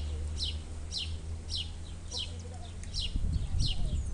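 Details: Spotted flycatcher nestlings being fed by their mother in the nest: thin, high notes sliding steeply downward, repeated about twice a second, with a steady low hum and rustling beneath.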